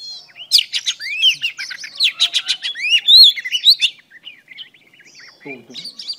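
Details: Female oriental magpie-robin singing to stimulate males: about four seconds of rapid, varied whistles, slurred upward notes and sharp chirps, loud and dense, then fading to softer twittering, with a man's voice briefly speaking near the end.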